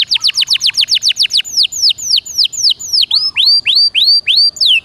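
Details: Canary (Serinus canaria) singing in gacor dor nembak style, used to prompt silent canaries to sing: a fast tour of steeply falling high whistled notes, then slower swooping downslurred and upslurred notes repeated at a steady beat.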